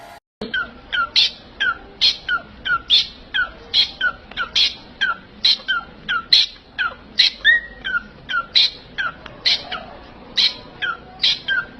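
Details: Pet parrot giving a long, steady series of harsh, nasal two-part calls, each a sharp upper note followed by a lower one, repeated roughly twice a second against a low background hum.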